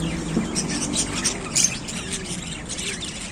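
Lovebirds chatter in shrill, rapid chirps and squeaky bursts that overlap irregularly, over a low background rumble.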